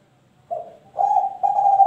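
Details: Young spotted dove, three months and twenty-five days old, of a champion line, singing: a short low coo followed by two longer, steady mellow coos, each held level and growing louder toward the end.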